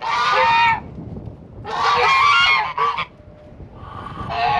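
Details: Farm geese kept as guardians of a flock, known to have attacked and chased off foxes and a raccoon, give loud, harsh, nasal honks in long bursts, several overlapping, with short pauses between rounds.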